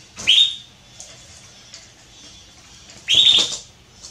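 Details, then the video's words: Female Belgian canary soliciting mating, giving two bright whistled calls about three seconds apart, the first trailing into a long thin sustained tone, over a quiet background. "Canário Belga Fêmea Pedindo Gala"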